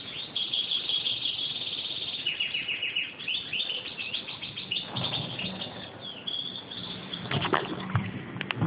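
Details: European goldfinch (Carduelis carduelis) calling during hand feeding: rapid, thin, high twittering chirps in dense runs, with a burst of quick descending notes midway and sharper clicks and low thumps near the end.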